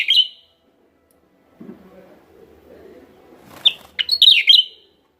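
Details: West Java Javan myna lure sound: an opening burst of harsh chatter, a long quiet gap with low murmuring, then a rising note leading into a rapid run of scratchy, whistled chattering notes.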